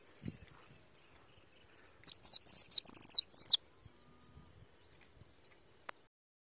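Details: Young white European goldfinch held in the hand in the countryside, giving a short burst of very high, thin twittering notes lasting about a second and a half, otherwise quiet with faint handling clicks.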